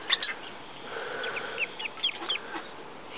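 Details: Muscovy duckling still hatching from its egg under the hen, peeping in reply to its mother. Soft, high, downslurred peeps repeat quickly through the middle of the clip, with faint rustling around them.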